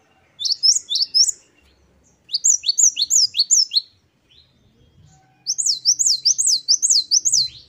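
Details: Great tit singing vigorously in the wucit-wucit style: three bursts of high, clear whistled notes, each rising then dropping, about four or five per burst, separated by short pauses.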